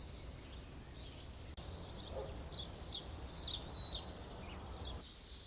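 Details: A pair of Short-toed treecreepers (Certhia brachydactyla) feeding nestlings with insects at Alzira, Valencia, on 12 April 2016, give thin, very high, sibilant calls in quick, irregular runs over a low background rumble.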